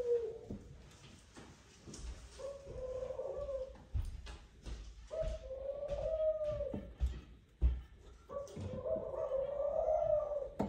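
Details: Male Eurasian collared dove courting a female at the nest, calling her to it: drawn-out, mid-pitched coos, each lasting one to two seconds, repeated with pauses, over sharp clicks and knocks indoors.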